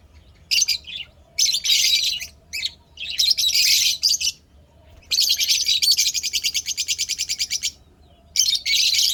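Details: Happy pet lovebirds chattering in long dense runs of rapid high buzzy chirps, one stretch pulsing quickly for several seconds, with brief pauses between outbursts; low steady hum underneath.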